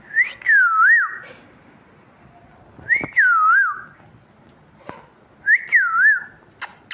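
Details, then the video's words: Pet talking parrot whistling indoors: a looping three-part whistled phrase, rising then wavering down and up, repeated about every 2.7 seconds with clicks between. "Talking parrot chirping sounds"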